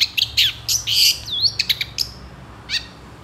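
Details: Long-tailed shrike in lively song: a short, dense flurry of high buzzy chirps and a slurred whistle, fading into a few scattered sharp notes over a low background hum.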